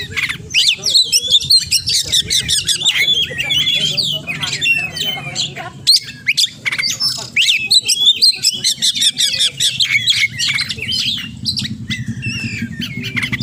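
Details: Oriental magpie-robin (kacer) pouring out a long 'gacor' song loaded with 'isian' imitations: fast scratchy chatter, whistled slurs and staccato chips with brief pauses, a low hum running throughout.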